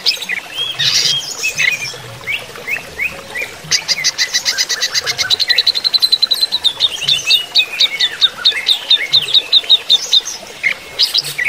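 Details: Greater green leafbird in running-water therapy: varied whistles and chirps build into a long, quickening run of rapid, even notes, then break into mixed slurred phrases.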